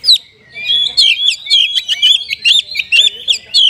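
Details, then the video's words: Oriental magpie-robin singing a kapas tembak-style fill: a sharp opening note followed by a fast, even, scratchy trill of high chips over a steady whistled tone, loud and continuous. "ISIAN KACER PALING BERBAHAYA HOT 🔴 KACER RASA KAPAS TEMBAK ORIGINAL SOUND"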